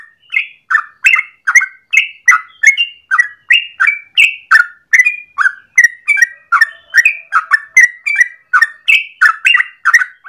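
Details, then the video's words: Morning song of a yellow-vented bulbul, long and continuous, kept for luring or tutoring birds: fast, even series of bubbly falling notes with short whistled tails, roughly two or three per second. "1 jam Trucukan gacor ropel panjang pagi hari"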